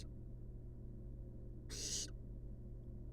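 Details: A single short, raspy hiss from napping wild barn owl nestlings in a nest box, about a third of a second long, set against a faint continuous low hum.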